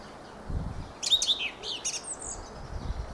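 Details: Fieldfare song: a short burst of squeaky, scratchy high notes and a brief slurred whistle, followed by a quieter chattering phrase, with low rumbling background noise.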